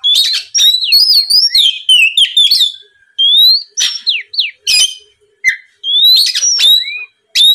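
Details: Oriental magpie-robin lure song of the ngeplong type, meant to make rivals answer: bright whistled notes sweeping up and down in quick runs, with short gaps between bursts and a few sharp chips.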